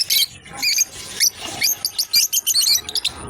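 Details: Couple of lovebirds playing together, chirping rapidly in loud, shrill, high-pitched notes that tumble over each other in quick, uneven bursts from start to finish.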